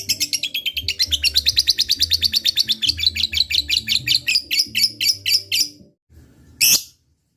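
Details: Rival-baiting ngekek of a chatty fighter lovebird: a fast run of sharp chattering notes that slows and fades before a silence, closed by one loud harsh squawk.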